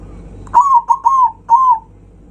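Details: Zebra dove giving a loud song meant to provoke rival birds: four clear cooing notes, the first three close together, each with a sharp start and slightly falling tail, the last after a short pause.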